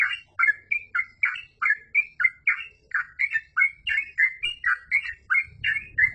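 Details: Yellow-vented bulbul in full 'gacor full ropel' flow, about twenty liquid, warbling chirps in six seconds, each a short slurred phrase, with a low rumble near the end.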